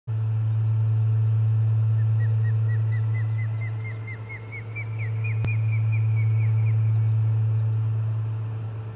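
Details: Osprey at the Charlo nest on 30 July 2020, calling amid commotion during a fish delivery: a long run of about twenty quick, upslurred whistled chirps that rise slightly in pitch, over a steady low electrical hum and faint higher chatter.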